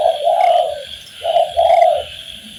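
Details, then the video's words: Tekukur, the spotted dove, from a training master recording: a long, soft, wavering coo, a pause, then a short hoot and a longer coo, low and breathy, with a continuous shrill insect-like hum behind. "MASTERAN BUAT BURUNG TEKUKUR SUPAYA GAC0R DAN BERGAIR4H"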